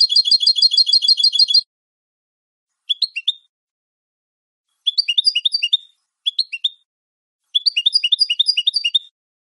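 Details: Clean song (canto limpio) of a European goldfinch, recorded for training captive birds: a tinkling trill of about a dozen and a half notes, then short clusters of high, liquid downslurred twitters separated by brief pauses, on a silent background.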